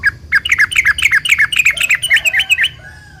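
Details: Sooty-headed bulbul singing a long lure song meant to draw replies from other bulbuls: fast tumbling series of bubbly, chattering slurred notes, rising in pitch and ending in clearer whistled upslurs.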